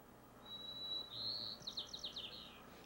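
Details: White-crowned sparrow song in the Lake Merced dialect of San Francisco, recorded on a crisp morning: a long clear whistle, then a rapid series of paired buzzy notes with no trill, high-pitched over faint background hiss.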